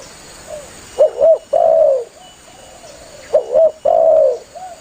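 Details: Spotted dove calling to its fellows, used as a lure for hunters; the phrase comes twice, each a soft lead-in, two short rising hoots, then a sustained falling coo, with faint echoing coos between and a faint electronic whine.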